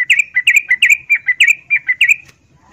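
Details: Yellow-vented bulbul female, in breeding condition, calling a male: a steady quick stream of about a dozen bubbly, slurred chirps at even pitch, ending abruptly.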